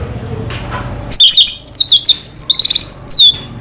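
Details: Anis merah (orange-headed thrush) from Indonesia in leisurely 'selow' song: after a soft note, a dense string of high, twisting whistles and quick trills, broken by short gaps.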